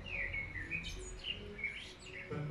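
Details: Common blackbird singing on a church tower during the Liturgy on 6 June at Darvari hermitage: mellow, fluting whistled phrases with a few higher twittering notes, over low background rumble and faint voices.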